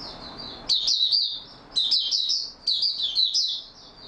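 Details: Oriental white-eye in steady singing form, a cage bird recorded 28 February 2022; high, sweet twittering phrases of fast rising and falling notes, about one per second, with quieter linking notes.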